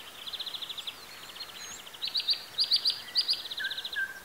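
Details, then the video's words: Wild birds in Bessarabia, Ukraine, recorded on a Zoom H4n: rapid high trills and sharp repeated chirps in quick bursts, then a short clear whistle near the end, over soft background hiss. "Sounds of nature. Birds. Звуки природы.Птицы"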